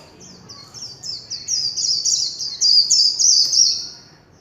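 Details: Warbling white-eye giving líu chòe song, a rapid unbroken chatter of very high, sweet descending notes about four to five per second. It swells steadily louder to a bright, dense warble before trailing off, with a clean quiet background.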